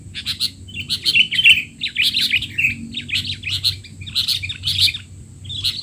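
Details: Sooty-headed bulbul chatter, noisy and excited, for young birds learning to call; dense strings of bright chirps and squeaks run almost without pause throughout.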